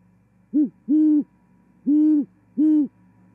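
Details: Great horned owl singing during a female's arrival and mating at an osprey nest in Charlo, Montana, 18 January 2021: four deep, even, muffled hoots, a short one then three longer, spaced by pauses, quiet background.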